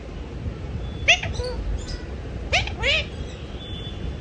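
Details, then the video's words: Parrot known as mithu vocalising while asleep: two clusters of short squeaky, rising chirps about one and a half seconds apart, with faint thin whistles between them in a quiet room. "mithu parrot talking in sleep"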